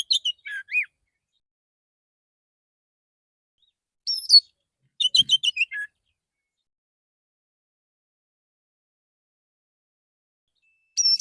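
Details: Relaxed morning song of a male Oriental magpie-robin calling others of its kind: short chirps, a rising whistle, then a rapid run of sharp notes ending in a lower slur, separated by long pauses.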